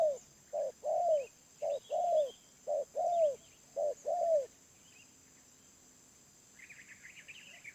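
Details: Medium-voiced wild spotted dove gives about four pairs of deep coos, a quick note leading into a longer downward-curving one, then falls silent. Other small birds chatter faintly near the end.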